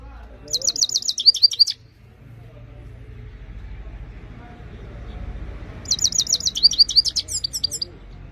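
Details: Himalayan goldfinch song in two short bursts of fast, high, tinkling twitters about five seconds apart, with a low rumbling background hum between them.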